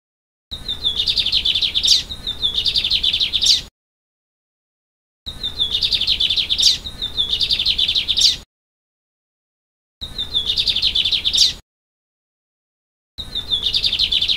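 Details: A wild Lined seedeater at Vila Pavão, Espírito Santo, Brazil, free-living in open country, sings high, fast phrases of buzzy trills and sharp chips, repeated in bursts.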